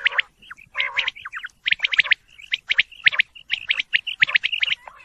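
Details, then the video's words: Quail chirping rapidly with short whistled notes and a few nasal squawks, calls tumbling over one another in a dense run. "quail bird sound"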